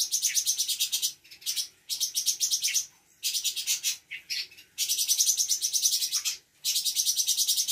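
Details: Cucak cungkok, spotted variety, caged in Bandung and learning imitations of Parkit, Srindit, Katem and others; repeated runs of very fast, high, buzzy pulsed trills lasting about a second each, with short gaps between.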